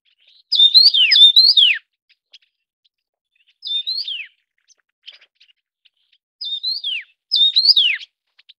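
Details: Taiwan yuhina, endemic to Taiwan, feeding young: a loud doubled whistled phrase with steep falling slurs, a softer single phrase, then two more doubled phrases, quiet gaps between.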